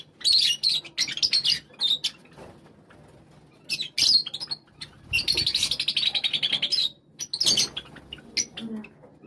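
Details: A flock of Java sparrows gathering together, producing repeated bursts of high chirps, including a rapid rattling run of notes in the middle, separated by brief quiet gaps, with faint low background sound.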